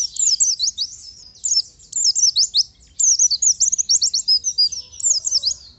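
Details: Oriental white-eye singing loudly in captivity, strings of bright high chirps and zigzag whistles in rapid phrases separated by short breaks, lively and insistent, with faint low hum in the background.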